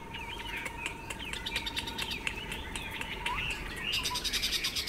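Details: A tame caged Chinese Hwamei, kept over two years, sings loud, varied whistled phrases without pause on an overcast day, flicking and beating its tail as it sings; a steady high whine and clicks sound underneath.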